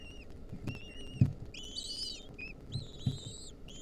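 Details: Lesser kestrel chicks in a wild nest, 2023, begging while the female delivers a mouse. Short wavering squeals build into louder, overlapping bursts of drawn-out whines, with soft thumps and shuffling below.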